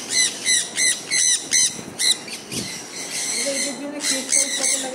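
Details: Pet sun conures enjoying the rain: a series of evenly spaced, harsh shrieks about three per second, then a looser chatter of calls as a man starts speaking, rain in the background.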